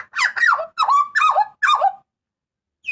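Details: Loud, clear cries from a Papuan butcherbird, kept as tutor and lure recordings: four strong, slurred notes sweeping downward, each about half a second, then silence and a brief final squeak.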